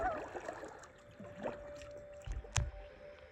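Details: A common loon, with its chick nearby, gives a wavering call that settles into a long, steady, mournful tone, over lapping water and a few hollow knocks like a paddle on a boat.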